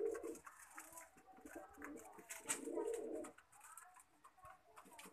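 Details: Lakha pigeon producing deep, burbling coos at the start and again near the middle, then quieter clicks and rustling in an indoor space.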